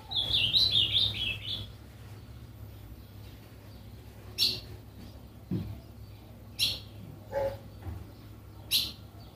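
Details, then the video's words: Pet ultramarine grosbeak from Capão Bonito, São Paulo, Brazil, opening with a brief high warbled phrase of rapid rising and falling notes, then scattered sharp clicks and knocks over a steady low hum. "ele enviou o vídeo do azulão dele e vamos apreciar o canto desse azulão"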